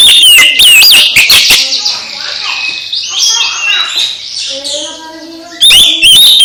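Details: Oriental magpie-robin song to stir a listless magpie-robin: an opening burst of piercing slurred whistles and clicks, then a long stretch of softer mixed twittering from other birds, then loud whistling returns at the end.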